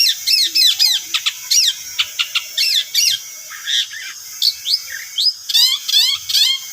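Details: Long-tailed shrike song used as a lure: loud, high, scratchy chattering phrases of rapid notes, alternating sharp clicks and buzzy rising-falling trills, delivered in quick bursts.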